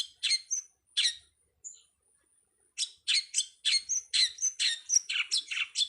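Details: Long-tailed Shrike master recording for training songbirds: a few scratchy notes and a brief whistle, a pause, then a fast run of rasping chatter mixed with short whistled notes.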